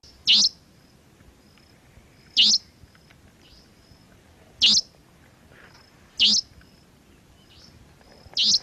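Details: Savanna nightjar giving sharp, high whip-crack notes, each a single explosive burst, about every two seconds, with faint high twittering between; heard at twilight after sunset, from the sky, in grasslands and fields; call.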